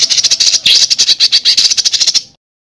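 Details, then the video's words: Small songbird singing dense masteran material meant for training pet birds: rapid, evenly spaced high chirps in a fast burst, a brief sweeping phrase near the middle, then a clean stop about two seconds in. "MATERI JROJOS RAPAT SEKALI TARIK LOSSS! BURUNG KECIL FULL TEMBAKAN MASTERAN BURUNG FIGHTER"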